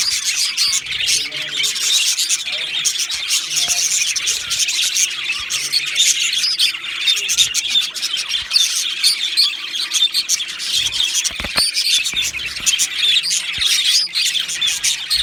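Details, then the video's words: Two male Australian budgies in steady, busy chatter, rapid buzzy chirps and squeaky warbles running together for the whole stretch, with a few sharp clicks and faint low background murmurs. "2 Male Budgies Birds Sounds | Australian Budgies Birds chirping sounds"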